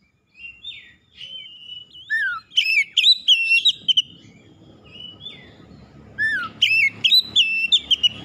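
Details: Oriental magpie-robin delivering rival-provoking song. Soft opening whistles build into loud bursts of high, piercing notes and falling slurs, followed by a quieter spell and a second loud flurry of chirps.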